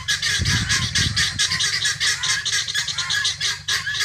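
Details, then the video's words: Loud, dense rasping cackles from free-range helmeted guineafowl searching for food, notes tumbling quickly and unevenly, with low thumping knocks near the start. "GUNea Fowl Saund and searching feed free range"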